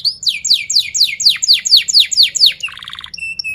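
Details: Canary song used to train young canaries to sing: a run of about ten rapid down-slurred whistled notes, then a buzzy pulsed phrase and short high steady whistles.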